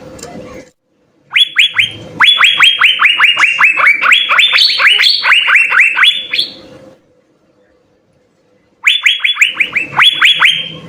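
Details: Asian fairy-bluebird in lively full song, recorded as a master for training songbirds: long bursts of quick upward-sweeping whistles, some higher-pitched, separated by near-silent gaps of about two seconds.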